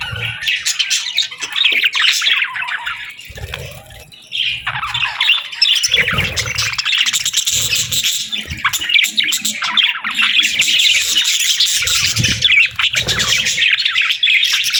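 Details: A flock of budgerigars keeps up a constant high, twittering chatter with harsh squawks woven through, the sound barely easing for almost fifteen seconds.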